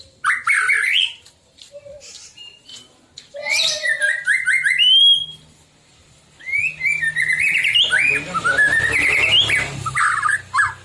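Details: A white-rumped shama sings to stir other shamas into song. Loud whistled and warbled phrases come in bursts with quieter gaps, and low humming background noise grows under the final phrases.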